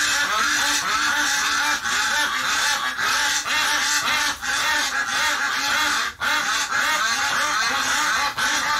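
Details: Many ducks calling at once, upset after a flock member died in the hospital; a dense, continuous chorus of overlapping quacks and honking calls with no pauses, recorded during a live stream on November 30, 2018.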